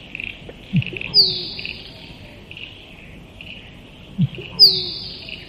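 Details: Musk duck: a low thump followed by a loud, high whistle sliding downward, repeated about every three and a half seconds, with a steady chorus of high chirping insects or birds in the background.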